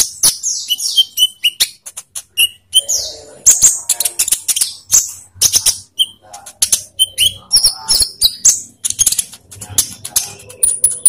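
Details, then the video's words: Olive-backed sunbird, kept in captivity, song used as a lure to make other captive birds sing: dense run of high, thin chirps and sharp descending sweeps, rapid clicks between phrases, nearly continuous. "pancingan konin biar cepat gacor"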